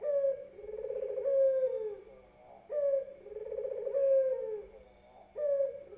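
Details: Vigorous Barbary dove coos meant to stir other birds: deep, rolling phrases, each opened by a sharp upward note and ending in a drawn-out falling purr, repeated about every two and a half seconds with a thin high hum behind.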